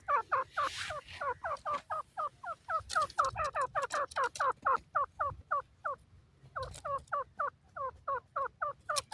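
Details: Grey francolin (teetar) chicks, newly hatched, hopping about the forest: rapid chains of short quavering cheeps, slightly falling, with a few pauses and bursts of rustling noise at the start and around the middle.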